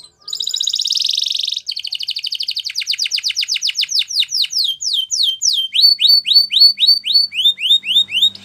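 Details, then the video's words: Canary singing a dense fast trill that breaks into steadily repeated downward-swept notes, slowing into clear separate whistles at the end. "Canary Yellow Singing"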